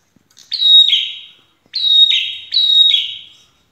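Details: Prinia song played to draw answering birds: three clear phrases in quick succession, each starting on a high sustained whistle and then stepping down into a rougher, fading buzz, with a near-silent background.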